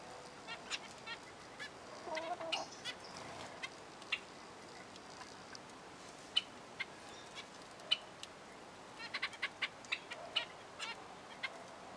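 Zebra finches give short, nasal, toy-trumpet beeps, scattered irregularly and sometimes in quick bursts, over a faint steady hiss.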